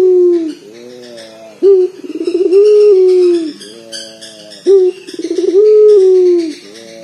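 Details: A local collared dove with a big, booming voice, meant to provoke other doves to sing. Low drawn-out coos with a rattling, pulsed onset recur about every three seconds.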